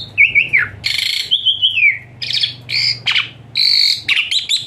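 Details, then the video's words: Asian pied starling song for therapy of a lazy-singing bird; a descending whistle, harsh broadband squawks and a wavering whistled phrase, with a low hum behind. "Full Isian Mewah TEMBAKAN PANAS Khas Jalak Suren UNTUK TERAPI Jalak Suren Malas Bunyi Jadi Rajin"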